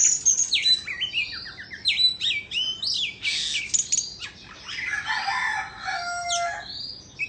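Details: Indonesian white-rumped shama, singing and dancing with tail spread, opens with loud, rapid chirping phrases and ends in a grating, scratchy passage of lower, mixed notes.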